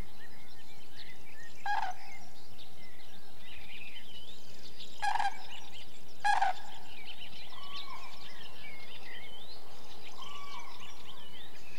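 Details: Common cranes flying over a field give three loud, rolling trumpeted calls, then two fainter drawn-out notes, as soft twittering of small birds runs in the background.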